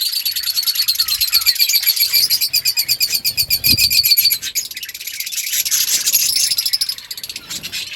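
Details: Budgerigars in a breeding colony chirping to each other: dense, continuous high chatter with rapid pulsed trills and warbles, several birds overlapping.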